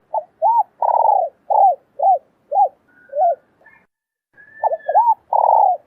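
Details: Female spotted dove calling to stimulate males to coo: a rapid run of short, low arched coos with some longer drawn notes, a pause in the middle, then more coos. A faint higher whistle sounds briefly in the background.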